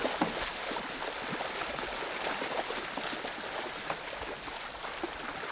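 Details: Steady gurgling water and broad hiss, with scattered soft clicks and no animal voice.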